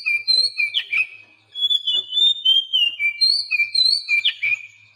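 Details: Oriental magpie-robin song meant to coax captive birds that rarely sing; continuous sweet whistled notes gliding up and down with occasional harsh chips, barely pausing for five seconds.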